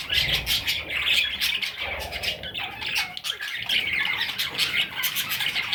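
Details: Young parrot chicks squawking in a dense, continuous, harsh chorus of overlapping high chirps, with faint low rumbling in the background.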